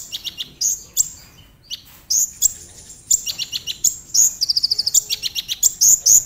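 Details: Energetic brown-throated sunbird (konin) lure song for prompting other sunbirds to sing: a dense stream of sharp high chips, piercing downslurs and a fast even trill near the end, delivered almost without pause.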